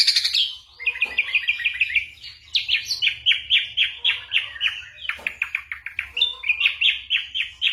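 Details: Ashy drongo mimicking a range of sounds, recorded for training songbirds like the white-rumped shama: repeated descending chirped notes in quick series, broken by short pauses, with a sharp scratchy call between phrases.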